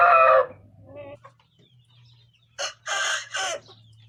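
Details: Aseel rooster gives a short loud crow opening, then a low steady hum, then three close, rough, stuttering crow syllables near the end.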